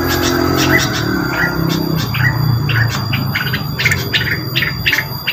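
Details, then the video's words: Rengganis lure song: quick series of short sharp chirps with brief upslurred whistles, fairly irregular, over a steady low hum and electronic background tones. "mantul suara pancingan burung rengganis"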